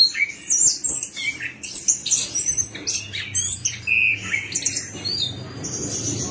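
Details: Orange-headed thrush singing, meant as a lure to coax a silent bird into song: varied phrases of sharp chirps, thin high whistles and steady sustained notes, changing every second or so, with barely any pause.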